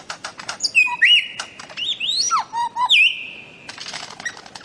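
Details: Bird-of-paradise from Papua and the Aru Islands, Maluku, played to train cage birds: clicking notes, then long level whistles broken by looping slurs and low hollow notes, ending in buzzy chatter.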